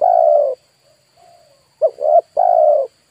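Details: Spotted dove kept as a lure for wild birds: a long mellow coo, a pair of faint soft coos, then a phrase of two quick notes and a final drawn-out coo.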